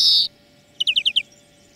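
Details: European greenfinch song used as a lesson for training birds: a short nasal wheeze, then after a pause a quick run of five rapid chirped notes on a steady level, with a faint low hum beneath.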